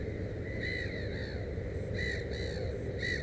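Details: Black-headed gull with three chicks at the nest, uttering drawn-out, slightly falling nasal cries in quick succession over a low rumbling background.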